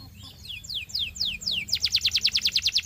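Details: Singing Belgian canary for teaching young birds: about six loud swooping downslurs at a steady pace, then a quick, pulsing trill of bright repeated notes, with a low hum behind.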